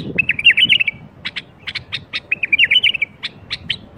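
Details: Bulbul song used to get other bulbuls singing: bright warbled phrases alternating with short sharp repeated notes, fairly steady, with faint low background rumble.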